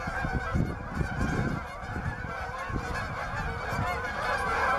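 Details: Canada geese looking for open water at Bass Ponds, Minnesota, on November 23, 2013: a dense chorus of many overlapping nasal honks, continuous throughout, over a low rumbling background.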